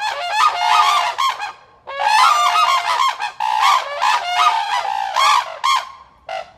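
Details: Black-necked crane pair trumpeting at neighbouring red-crowned cranes in a territorial show of pair bond; loud, harsh, overlapping honks in long bursts, a short gap near two seconds, the last calls fading toward the end.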